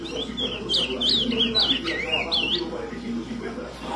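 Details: Ultramarine grosbeak singing on the hand: a rapid run of sweet, looping whistled notes rising and falling in quick succession, over background music and low voices.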